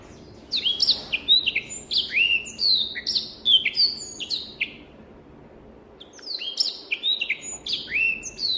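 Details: Black-throated canary, an African finch kept as a tutor bird, singing clear whistled phrases: rapid sliding and falling notes in bursts for about four seconds, a pause, then another run of bright high notes.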